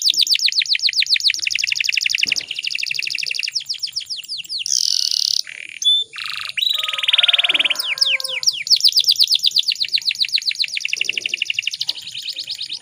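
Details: Breeding female canary calling to draw males into song: long dense twittering trills of rapid high notes, interrupted midway by harsh buzzy bursts and a pulsed rattle, then resuming steady fast chirping.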